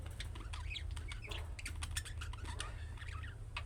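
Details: Chick-like calling chatter of budgerigars, the kind other budgies respond to: rapid irregular chirps, clicks and squeaky warbles, about two per second, busy and continuous over a low hum.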